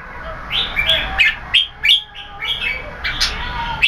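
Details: Red-whiskered bulbul with growing tail feathers singing in keke competition style: a lively run of loud, varied whistled and slurred notes, rising and falling phrases repeated rapidly with short gaps.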